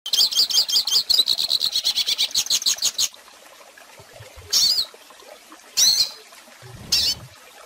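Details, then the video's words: Hooded siskin song recorded to teach young birds to sing: about three seconds of rapid, high, twittering warble made of quick repeated notes. After a pause come three short, bright bursts spaced over the next few seconds. "Pintassilgo Cantando Ensine Filhotes!!!"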